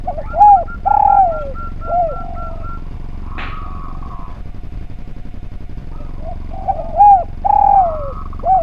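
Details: Spotted dove singing steadily on a training track for other birds. Short arched coos and longer sliding coos open the sequence, a sharp click and a pause follow, and then the coo pattern returns against a low hum.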